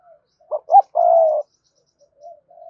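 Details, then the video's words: Spotted dove giving a gọi hai hậu coo to spur a newly caught dove; two quick short notes lead into a sustained low mellow coo, with faint soft notes after. "tieng cu gay kich boi nhanh noi thúc gù gáy gọi hai hậu"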